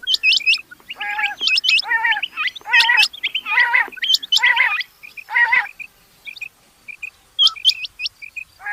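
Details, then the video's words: Rain quail calls: a run of coarse, ringing double-toned bursts over about five seconds, then scattered high hooked chirps and short peeps as the calling thins out. "Rain Quail Sounds bedana sayrashi bedana ovozi Batair Ki Awaz بٹیر چنکہ کی آواز"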